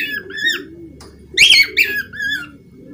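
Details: Budgerigar giving a few short, bright chirps that bend up and down, then a louder burst of harsh, rapid chirps midway, over a steady low cooing murmur in the background.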